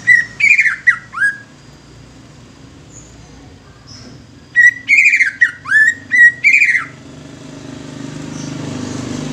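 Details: Young greater green leafbird, used to stimulate other leafbirds, giving two bursts of loud, rich chattering whistles with steep downslurs, separated by a few quiet seconds.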